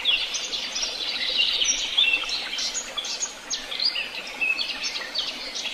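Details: Woodland chorus at Tehidy Woods: many birds overlapping in rapid high chirps, sharp ticks and short whistled phrases, steady throughout with slight pauses between bursts.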